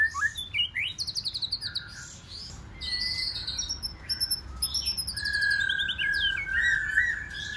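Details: Wild-caught white-rumped shama singing for competition in forest style: a scratchy mix of high trills and chips, a clear thin whistle, then a long run of buzzy chattering notes over a sustained whistle.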